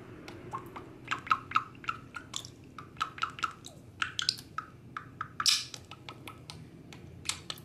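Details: A six-year-old male pet budgerigar playing on the floor by a chair leg, October 2021, gives quick, scratchy chirps and clicks in uneven bursts, several per second, over a low room hum.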